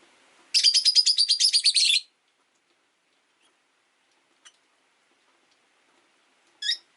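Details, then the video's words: Rosy-faced lovebird in an indoor cage, jostling for perch position; a rapid run of about a dozen bright, scratchy chirps lasting under two seconds, then quiet and one last chirp. "Lovebird Chirping Sounds"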